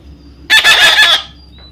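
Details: Baby parrot being fed, uttering a coarse, buzzing burst of several quick pulses for about 0.7 seconds, as a person offers it food and talks to it.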